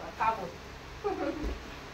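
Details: A hand-tame pet Alexandrine parakeet talks in two brief, speech-like phrases about a second apart, nasal and slightly rasping, against a quiet indoor background.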